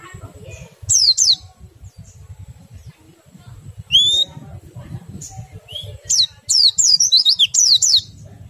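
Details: Oriental white-eye twittering song in ngerol and ngriwik style, intended to stimulate other white-eyes to sing: scattered bursts of high downslurred chirps, one upward whistle in the middle, then a quick chattering run near the end, over a low hum.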